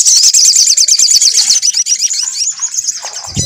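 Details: Lure of sunbird song meant to set a bird singing: a loud, fast, high-pitched trill that softens into thinner twitters, ending with a low thump.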